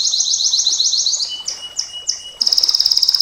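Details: Canary singing 'nembak panjang' style: a fast rolling high trill, three spaced downward-slurred notes over a thin whistle, then an abrupt very rapid, evenly pulsed buzzing trill.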